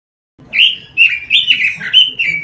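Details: Singing robin in a lure recording for training caged birds, giving a continuous stream of clear, slurred whistles that rise and dip, without breaks, over a faint low hum.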